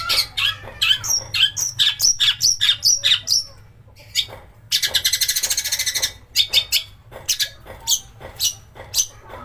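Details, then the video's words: Long-tailed shrike song with mimicry, played as a lure to stir shrikes into song: quick whistled and chirping notes, then a fast buzzy rattling trill, followed by more scattered harsh notes. "pancingan cendet agar gacor||burung masteran mewah tembakan kasar keluar semua"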